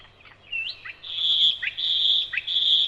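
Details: A nightingale sings in May, the month birds return, pure sustained high whistles broken by quick downward slurs, about three long notes in under three seconds, with a faint low hum behind.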